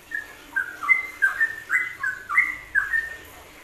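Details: Yellow-vented bulbul ropelan song, WK combination meant as masteran: clear, fluty whistles in a lively bouncing chain, each two-part note stepping down then up, about three notes a second.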